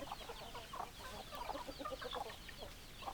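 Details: Hens and roosters clucking together: a short burst of crowded, overlapping mid-pitched clucks and throaty chatter from several chickens, with no pause between calls.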